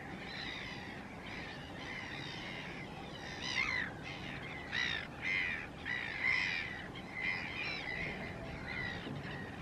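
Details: A flock of Chilean flamingos, present year-round from dark juveniles to adults at their resting grounds, gives harsh, nasal goose-like honks about once a second, rising above the steady murmur of the calling flock.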